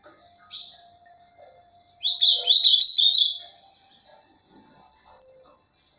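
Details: Ultramarine grosbeak delivering mineiro pena branca style song: a high whistle, then a brisk warbled phrase of chopped, sliding notes, closing with another high whistled note after a quiet gap.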